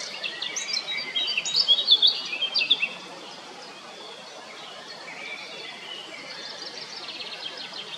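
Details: ['Blackcap song: a loud, rich warbled phrase of clear whistles in the first three seconds, then only faint distant twittering over steady background noise.']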